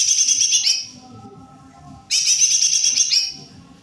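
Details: Greater green leafbird singing energetically: a bright, high, buzzy-trilled phrase, silence of over a second, then a second similar rapid chattering burst of rich overlapping notes, with faint low background noise.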